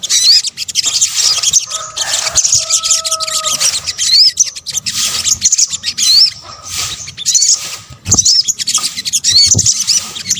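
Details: Sunbird, the sogok ontong, in a combined luring recording: constant thin high twitter with sparse rising whistled notes every second or two and a faint lower tone midway.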